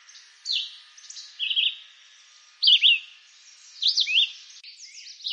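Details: Red-eyed vireo in eastern North American woodland giving loud, short warbled phrases with quick pitch wiggles, several spaced about a second apart, one notably stronger near the middle.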